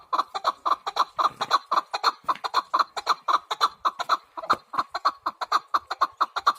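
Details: Chukar partridge giving a fast series of sharp, clucking chuk notes, roughly two per second, steady and strong throughout, with a faint room echo.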